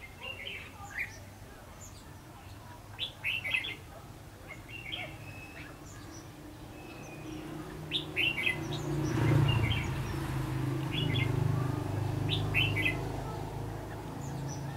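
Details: Red-whiskered bulbul recorded during a bulbul-trapping session on 22 February 2016; short, bright chirped notes and quick paired phrases come in scattered bursts over a steady low rumble of background noise.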